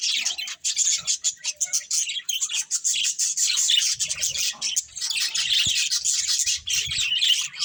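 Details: Budgies chirping continuously, with rapid, scratchy high chatter and shrill tweets overlapping throughout, plus faint low rumbles in the second half.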